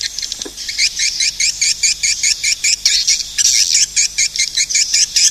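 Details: Swiftlets give a rapid, steady stream of loud, high, buzzy chirps, about two or three per second, with a brief break and a sharp click midway.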